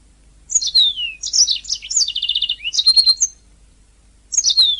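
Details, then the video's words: Canary master song for teaching birds to sing: a phrase of downward-slurred high whistles, a quick buzzy trill series and sharp chirps, then silence before a new falling whistle begins. "Ocehan Suara Burung Kenari"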